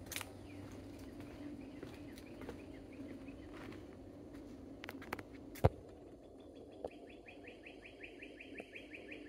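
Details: Northern cardinal (Cardinalis cardinalis) singing by a boardwalk among cabbage palms and bitter orange trees at Sweetwater Park, Oviedo, Florida, ends with a fast run of clear slurred whistles, about four per second, over a steady low rumble and sharp knocks.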